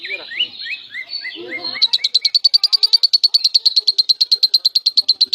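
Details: Lovebird singing semi-konslet, used as tutor song for other lovebirds: a series of short rising squeaky chirps over faint chatter, then a rapid, regular buzzy trill of high pulses continuing over three seconds.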